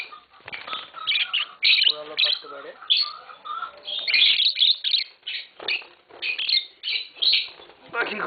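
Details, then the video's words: Green Fischer's lovebird pair kept at home, giving bursts of shrill, scratchy chirps and twitters, with a man speaking Bengali between and over the calls. "Lovebird Singing & Chirping Sounds - Green Fischer Pair"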